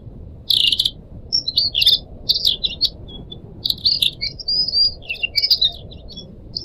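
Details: Caged Pied Trillers, a selection from four pet birds with different owners, recorded as a training track for other songbirds, with trickling water added. The birds give bright, high chirps and short buzzy trills in quick bursts, some notes sliding and twittering.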